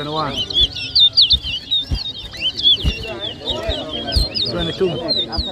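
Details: Two towa towa birds face off in a 2023 whistling contest at New Amsterdam, Berbice, Guyana, delivering rapid, twisting high whistled notes in a steady stream while spectators talk loudly nearby.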